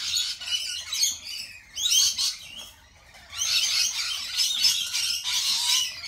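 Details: Loud, shrill chattering of lorikeets at a cafe, with many overlapping metallic screeches in dense bursts and a brief lull in the middle.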